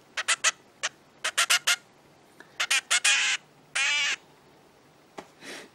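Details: A hand-fed 20-day-old red-billed leiothrix chick, probably female, still hungry and begging for food indoors, gives bursts of harsh, high, rasping begging calls in quick clusters with a couple of longer buzzy squeals over a quiet room hum.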